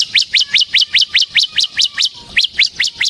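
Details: Bar-winged prinia, semi-crystal type used to lure and tutor cage birds: evenly spaced sharp upswept notes, about four per second, strong and regular throughout with one brief gap.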